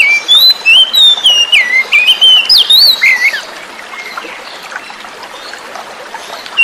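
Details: Lure song of a forest-caught oriental magpie-robin, set with flowing water to draw out singing; over three seconds of brisk, clear whistled notes, looping up and down, then quiet water until a final note.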